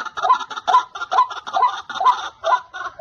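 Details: White-breasted waterhen at a trapping spot where many males call all around: loud, repeated nasal notes, about two per second, each with a sharp bright accent, in a steady pulsing series.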